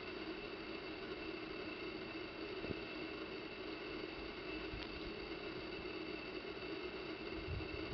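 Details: Low, even engine-like drone with steady humming tones and a faint hiss, plus a couple of soft knocks.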